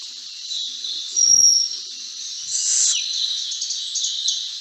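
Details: Malabar whistling thrush (Myophonus horsfieldii), call.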